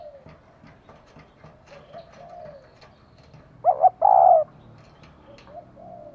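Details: Female spotted dove calling to excite a male. Faint, low coos and scattered ticks lead into two loud, hollow, rounded coo notes in quick succession. Fainter coos trail after them over a soft background.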